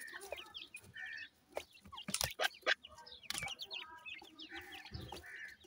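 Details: Grey francolin (teetar) chicks giving thin, rising peeps in quick runs, some steady whistled notes, broken by loud thumps and rustling.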